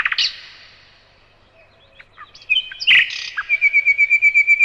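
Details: A single high slurred note from a nightingale, a pause, scattered chirps, then a sharp burst leading into a steady series of loud repeated notes.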